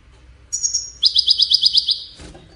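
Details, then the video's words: European goldfinch singing: a thin high whistled note, then a fast even trill of bright chirps repeated about eight times a second before fading, over faint low background hum. "مالك ملوك التغريد طائر الحسون"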